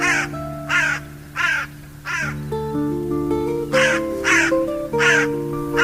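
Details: Hoarse crow caws, about eight rough bursts in two clusters, each separated by short gaps, laid over continuous background music.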